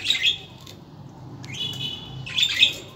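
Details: Budgerigar warbling: a chattering burst, a longer buzzy sustained note in the middle, then another chirpy burst, over faint low background hum.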